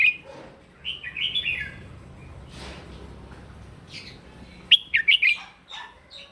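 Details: Fighting song from a red-whiskered bulbul during morning voice training: warbled whistles early, a quiet stretch, then a crisp volley of three or four loud, clipped whistled notes and a trailing chirp.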